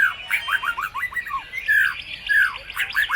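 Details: Energetic white-rumped shama song full of other birds' phrases, used to coax birds into replying; a fast sequence of loud, clear whistles, mostly falling in pitch, some drawn out and some clipped.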